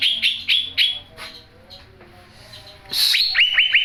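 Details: Young greater green leafbird, kept as a singing bird: bright whistled notes near four kilohertz repeated quickly, a pause with murmuring background, then a burst of rapid rising whistled phrases.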